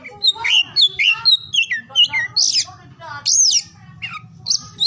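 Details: Oriental magpie-robin singing in morning, midday and evening, played to stimulate silent or lazy birds to sing; loud varied whistled phrases, rising and falling slurs with harsh buzzy notes, low hum beneath.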